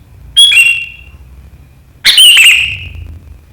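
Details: Sooty-headed bulbul giving sharp riwikan calls, recorded 7 April 2023, said to set rivals chattering: two bright, piercing notes with a quick downward slur, about one and a half seconds apart, over a quiet low hum.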